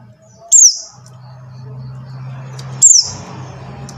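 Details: Buxtoni white-eye call meant to draw silent white-eyes into singing; two shrill descending notes about two seconds apart, with a steady low drone between them.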